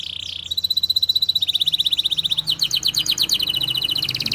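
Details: Canary song for tutoring young canaries and prompting silent birds: a short rolling phrase, then long fast rattling trills at steady pace, changing to quicker varied chirps near the end.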